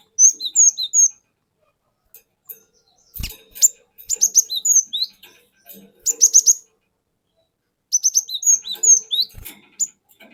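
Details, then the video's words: Cinereous tit from the forest, lure song to provoke rivals: recurring phrases of high, quick twisting whistles in three bursts, with a soft low thump between. "Pancingan Burung Glatik Batu Bahan Hutan Auto Ngeplong Wucit Wuit Ngerol Panjang"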